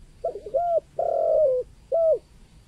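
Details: Spotted dove of the local 'kuk 2' sort, used to attract wild doves. A wavering short phrase leads into an arched coo, one long sustained coo, and a final short arched note over faint background hum.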